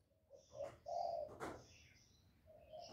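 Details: Spotted dove decoy bird, a lure used to provoke wild doves, giving low hollow coos near the start and end, broken by sharp clicking and knocking noises in between.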